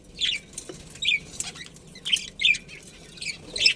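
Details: Budgerigars from a breeding pair in a colony give short, high chirps spaced roughly every half second to a second, with quiet gaps and faint rustling between them.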